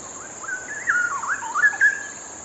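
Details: Straw-headed bulbul (cucak rowo) in full song, a loud liquid warble of slurred whistles rising and falling quickly, with bubbling notes clustered in the middle of the range. Steady faint high hiss underneath.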